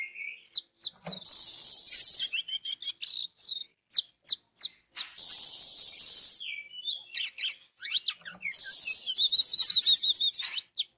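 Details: Lure song of an orange-headed thrush, meant to trigger singing in others of its species. Long, piercing high tones alternate with quick clicks and fast wavering, warbled runs in a busy, continuous stream.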